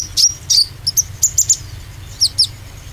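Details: Oriental white-eye lure sound: shrill, thin notes with short downward slurs, spaced irregularly in small clusters, then two squeaky tweets after a brief gap, low hum underneath.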